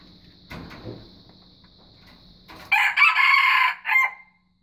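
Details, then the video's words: White junglefowl crowing: after a quiet stretch with faint thuds, a loud harsh crow of about a second and a half, with a short broken final note, over a steady high whine in the background. "Kokokan Ayam Hutan Putih Terbaik"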